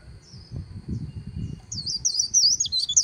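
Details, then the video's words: White-eye by the Kỳ Cùng River. Low rumbling noise and a faint thin tone come first, then a sudden short burst of bright, twisting, high-pitched líu twitters in the final second. "VÀNH KHUYÊN HÓT LÍU"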